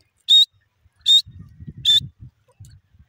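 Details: A francolin, called Iranian "dakhni teetar", gives three loud, ringing whistled notes, each slightly rising and spaced under a second apart, over a low rumbling background.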